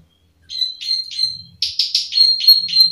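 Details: Plain prinia of the rice fields giving a rapid series of dry clicking notes, each a short buzzy burst with a steady high tone, repeated about four per second after a brief pause.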